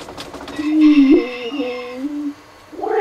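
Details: A Canadian spruce grouse, filmed during a display, gives a low, drawn-out hooting note that wavers slightly in pitch for over a second, followed by a short rising sound at the end.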